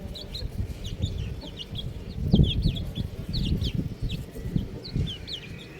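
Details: Several buff chicks peep steadily in thin, high, downward-sliding notes, often overlapping in clusters, over a bed of low scuffling and knocking noise.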